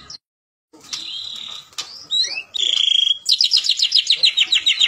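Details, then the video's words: A white-rumped shama (murai batu), a captive bird whose song is played to prompt other shamas to sing, sings loud, varied high, clear phrases: a sustained whistle, quick slurred notes, then a rapid repeated chattering burst. "Pancingan Ampuh Murai Gacor"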